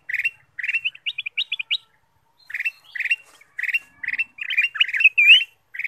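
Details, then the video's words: Black-capped bulbul singing as a lure for other birds: steady chirped phrases, a quick run of rising whistled notes, then busier chatter closing with a looping slur. "pancingan kutilang emas"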